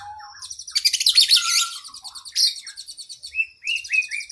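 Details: Kacer (oriental magpie-robin) 'gacor isian' song used to train cage birds: low whistles, a dense harsh chatter, a long even whistle, then three rising slurred notes over fine chatter.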